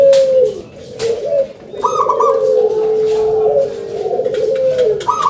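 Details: Zebra dove of a local Indonesian type, singing keenly with a big voice: a drawn-out mellow coo leading into bubbling, trilled phrases, sustained low and steady with a brief quiet gap early on.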